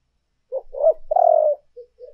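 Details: {'caption': 'Spotted dove urging coo used as a lure: a short note, a wavering rising note and a long rolling coo, trailed by two faint soft notes.'}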